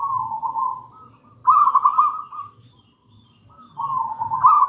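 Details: Gedang rojo local zebra dove from the wild in full song, used as a master song for training: repeated soft cooing phrases, a steady coo, a brighter trilled coo, a pause, then cooing resumes.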